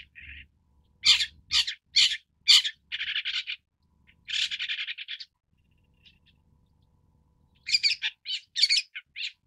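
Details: Long-tailed Shrike (Lanius schach): a loose series of harsh, broadband rasping notes in short bursts, some in quick clusters of four or five, separated by brief silences, with a final volley of scratchy notes.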